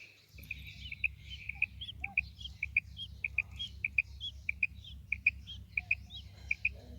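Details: Female quail calling with crisp doubled notes in a steady series, accompanied by scattered chirps from other birds and a continuous low droning hum.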